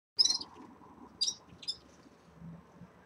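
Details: Caged red-fronted serins at the start of their moult give high, thin chirping bursts: one rapid twittered cluster, then two shorter chirps about a second later, over a faint low room hum.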